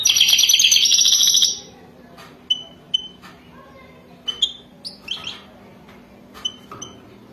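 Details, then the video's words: European goldfinch mating song, described as wadani, ending in a dense high twittering burst, followed by scattered single chirps and short slurred call notes spaced a second or so apart against a quiet background. "تغريد حسون وداني"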